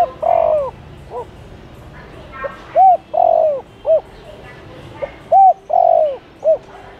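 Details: Spotted dove calling to lure wild doves: low coo phrases, each a brief soft note, a hooked coo, a long drawn-out falling coo and a short closing note. About three phrases, a second or two apart.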